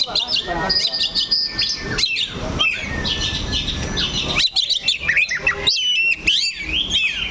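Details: Kacer (oriental magpie-robin) perched on a stand and staying fixed in one spot, giving a busy stream of high whistles, sharp chirps and thin rising notes, with steady background noise and brief pauses.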